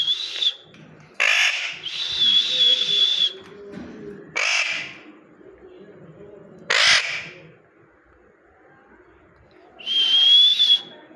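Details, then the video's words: Parrot giving loud harsh screeching bursts at irregular intervals, between them long, steady high whistled tones, with low room noise underneath. "Natural parrot sounds"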